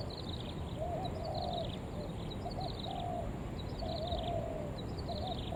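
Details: Spotted dove call used to lure other doves: rolling coo phrases roughly every second and a half, accompanied by bursts of high, thin chirping from other birds and a low background rumble.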